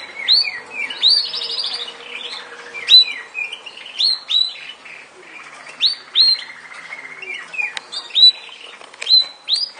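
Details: Yorkshire canary giving a series of high, rising whistled notes and short chirps, about one every second, mixed with brief soft twittering and a quieter sustained trill in the middle.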